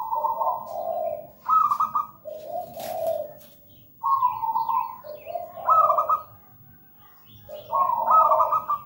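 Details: Zebra dove singing steadily, a local bird kept for its sweet voice: quick series of trilled cooing phrases, each stepping from a higher rolling note to a lower one, with a brief click in between.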